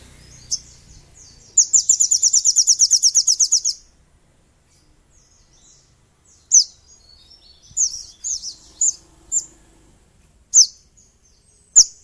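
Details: Sogon (little spiderhunter) in a lure recording meant to provoke rivals. A rapid, evenly pulsed high trill lasts about two seconds, followed by scattered sharp chips and short twittering notes.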